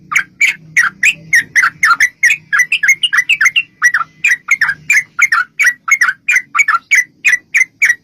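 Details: Sooty-headed bulbul in a long, rapid fighting song for luring other bulbuls to reply: a dense, rolling chain of chirpy, gurgling notes, with low humming noise early on.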